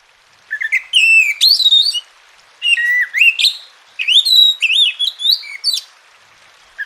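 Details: Song of an Oriental magpie-robin, used to make quiet birds sing: bursts of loud, varied whistled phrases with rising and falling slurs, separated by short pauses, clear and strong throughout.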